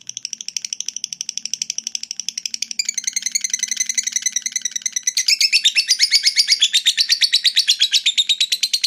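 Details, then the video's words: Long ngekek trill of a lovebird, sung to provoke rival fighter birds: high chattering pulses in rapid series, swelling in volume in two steps and ending in a dense, shrill, unbroken rattle. "suara lovebird ngekek panjang fighter bikin jebol birahi"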